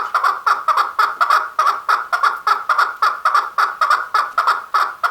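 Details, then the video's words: Male chukar giving a steady, loud run of harsh chuk notes, mostly in close pairs, about two pairs each second, rhythmic and insistent throughout, with no other clear sounds. "Chakor Sound | The Best Voice of Chakor/ Chukar | Male Chakor ki Awaz"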